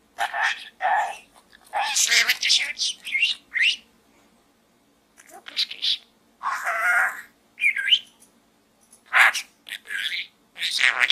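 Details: Budgerigar in a small gourd keeps up bright, scratchy chatter, with clusters of buzzy, speech-like syllables and short whistles broken by brief silences.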